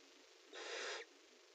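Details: Barn owls in a nest box during prey handover and mating: one harsh, breathy hiss lasting about half a second, broadband and noise-like, over a steady background hum.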